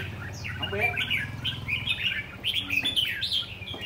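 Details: Caged red-whiskered bulbul, kept in a tall square cage with four corner perches, delivering rồ ché song: a lively, almost continuous string of short whistled and warbled notes, steady low hum in the background.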